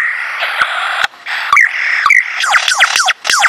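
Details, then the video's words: Male lyrebird performing his repertoire: whistled upslurred notes, then a fast run of descending laser-like zaps, repeated several times, loud and close over a steady hiss. "lyrebirds repertoire as he puts on a show for me"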